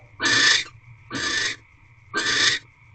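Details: Barn owl calling from an owl box during its mating ritual, early evening of 1 March 2023: three hissing screeches roughly a second apart, the second one quieter and shorter.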